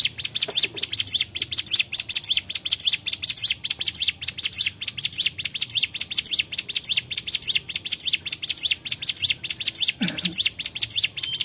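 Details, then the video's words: Long continuous run of Bar-winged prinia song, dense high chirps repeated rapidly and evenly, with a faint low swooping sound near the start and another near the end. "CIGUN GACOR"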